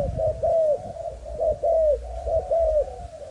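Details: Young Malaysian-stock spotted dove cooing: low, mellow coos in three repeated phrases, each a short note followed by a longer falling coo, about one phrase per second, with low rumbling background noise.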